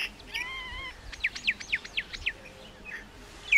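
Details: Common myna song: a sustained wavering whistled tone, then a rapid series of sharp descending chirps, a low murmur and a final squeaky note.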